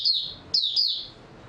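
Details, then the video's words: Oriental white-eye, recorded 3 March 2022, giving a brief high phrase of three quick, slurred whistled notes sliding downward, the last note trailing off softly. "Mata Puteh Raja Video 2 buka sing tiong aw"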